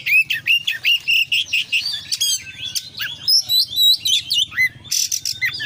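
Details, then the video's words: Oriental magpie-robin singing actively in 'konslet' style with full fillers: a quick series of bright whistled notes about twice a second, then mixed chatters, sweeping whistles and a harsh buzzy burst, low hum underneath. "kacer gacor KONSLET full isian"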